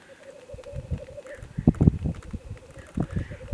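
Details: Black grouse (Lyrurus tetrix) in mid-Wales, February 2018, at a very early and gloomy dawn. Low, dove-like rolling coos build into louder throaty bursts. Faint hissing notes sound in the background.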